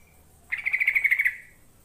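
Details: Yellow-vented bulbul song used to lure birds: one rapid bubbling phrase of about ten quick notes, lasting under a second, over a quiet background.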